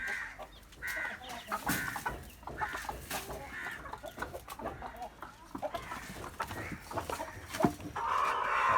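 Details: On a home chicken farm, a large hen of the Vellaidiyan type gives loud, harsh clucks in uneven bursts, which the keeper calls fierce noise and suspects may come before pecking, with a person talking nearby.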